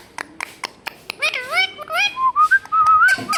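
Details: Talking pet Indian ringneck parakeet imitating speech: several sharp ticks, then a string of bending, harmonic-rich notes that rise and fall before a longer wavering whistle.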